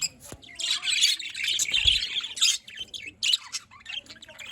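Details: Several budgerigars chattering in the morning, Larkana, Sindh, 5 November 2023: harsh, rasping warbles and squawks in dense bursts separated by short gaps, one low thump midway.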